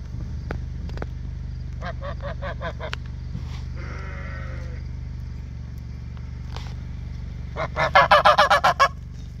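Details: Farm geese calling: a loose run of about six nasal honks, a drawn-out harmonic call, then a loud, quick burst of around seven honks at the end, with a constant low hum beneath.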